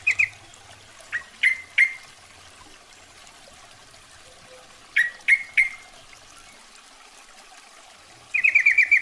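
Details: A female yellow-vented bulbul calls to a male: scattered single sharp chips in twos and threes, then a rapid chattering burst of repeated bright notes at the end, over a quiet background.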